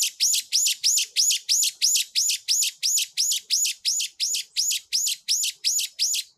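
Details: Brown-eared bulbul singing from a pine tree: a steady series of about seventeen identical arched, chirping notes, high and bright, delivered roughly three per second with even rhythm and volume throughout; no other sounds audible.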